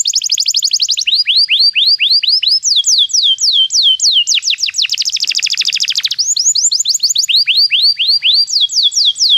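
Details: Continuous canary song for training: fast buzzy trills alternate with loud repeated falling whistles, tours changing every second or two, with no pauses throughout.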